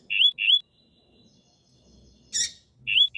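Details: A female Lined Seedeater calls to excite the male: short, high, upward-sliding chirps in quick pairs separated by a pause, with one brief harsh rasp in between.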